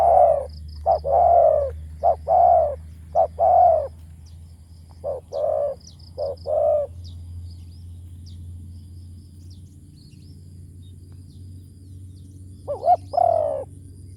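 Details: Deep-voiced spotted dove, a decoy bird, delivers a run of husky coos in short and drawn-out notes for about seven seconds, then falls silent before one more brief cooing phrase; faint background hum throughout.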